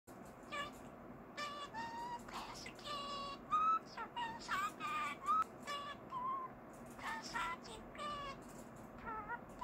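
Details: A jumbo budgerigar whistles a wobbly, off-key rendition of the children's tune "Kotori no Uta" in short clear notes broken by scratchy chatter, with a low room hum underneath.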